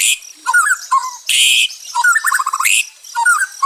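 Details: White-rumped shama singing, used as therapy audio for stressed birds: short warbled phrases and rapid chattered trills broken by harsh, noisy bursts, with brief quiet gaps between phrases.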